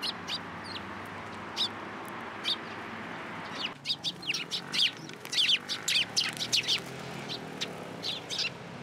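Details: Sparrows at a Tenmangu shrine, 14 April 2023, landing on a hand to be fed: scattered single high chirps at first, then a dense run of rapid, overlapping twittering notes in the second half.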